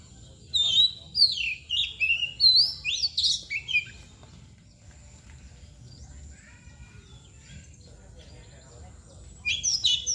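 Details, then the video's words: Kacer bagong, the white-rumped shama, sings a lively string of whistled slurs and chirps for about four seconds, falls quiet for several seconds, then bursts into song again at the end. "KACER MBAGONG LUCU ABIS | KOCI NANGKUR | KACER BALON | KOCI BAGONG"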